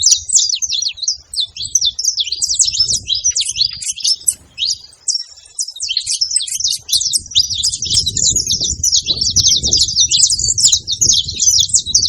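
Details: A group of wild saffron finches at a feeding spot: continuous high twittering and chipping, a little sparser midway, then dense again as stronger low rumbling noise rises in the second half.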